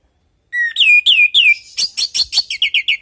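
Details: Orange-headed thrush song for prompting kept birds to sing along: loud downslurred whistles, then buzzy notes and a fast even run of short whistled phrases repeated roughly four times a second.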